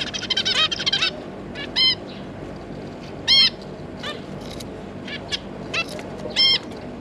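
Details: Zebra finches, two adults with three juvenile babies, 9 June 2022: about a second of fast chattering, then loud single nasal beeps spaced roughly one to one and a half seconds apart.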